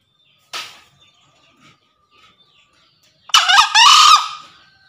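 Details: Rival-calling crow of a male green junglefowl used as a lure: a short faint note early on, quiet, then a loud grating crow of broken harsh syllables lasting about a second.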